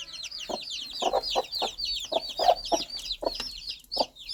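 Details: Soft rhythmic clucking from a mother hen guiding her chicks, low pulses about every quarter to half second, overlaid by many high, bright chick peeps.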